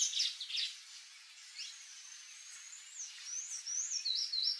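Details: Wild palm tanager in Brazil: a few brief squeaky notes, then a long thin high whistle that breaks into a series of quick, looping, rising-and-falling chirps near the end.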